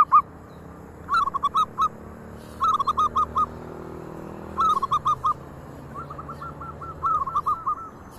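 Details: Local zebra doves coo in soft, stuttering bursts of four or five quick notes, repeated every second or so; when one calls the others join in, and a second dove chimes in near the end.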